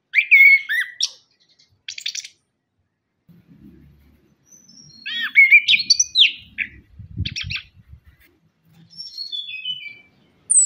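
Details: Orange-headed thrush, locally punglor kembang, singing as a lure for captive birds: varied loud whistled and warbled phrases with sharp slurred notes, separated by short pauses, a descending series of thin notes, faint low rumbling beneath.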